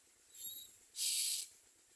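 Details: A single loud, hissing rasp from common myna nestlings comes after a faint whistled squeak, over quiet background.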